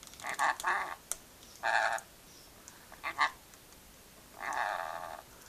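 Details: Pet rainbow lorikeet chatting and laughing while being filmed indoors: harsh, buzzy, broadband squawks in short bursts with gaps, a few sharp clicks between them, and a woman's voice talking to the bird.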